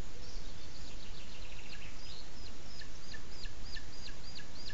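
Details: Booted eagle nest in Sierra de Guadarrama National Park, Spain, during the chick's presentation to the male: a fast chattering burst, then a regular run of thin, high, hooked squeals about three per second.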